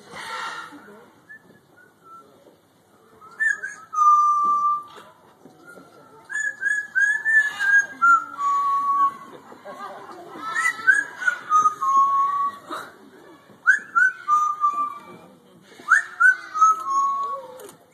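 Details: At African Lion Safari's parrot area in Canada, a captive Amazon parrot whistles "O Canada", improvising as it goes, in clear sliding notes that dip and rise in short phrases.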